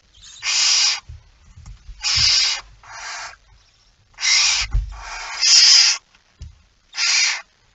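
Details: Barn owls at the nest during feeding, 19 September 2019 at 05:28 while prey is being eaten: six harsh, breathy hissing screeches of about half a second each, irregularly spaced, with soft low thumps and rustling between them.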